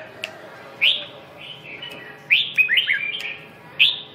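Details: Red-whiskered bulbul with a red eyelid, described as a "siêu ché" (super chattering) singer: short bright whistled phrases, some rising and some falling, given in bursts with brief pauses and then a rapid run of liquid slurred notes, over faint background hiss.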